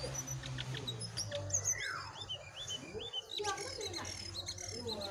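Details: Wild and caged Brown-throated Sunbirds in a singing duel: high, thin chirps and short rising and falling whistles scattered throughout, with a descending slurred note near the middle and a low background hum.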